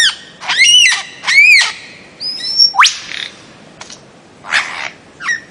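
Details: Bird-of-paradise: two loud, arched, ringing calls, then a thin steady whistle, a sharp upward sweep, and scattered rough, breathy notes after a gap.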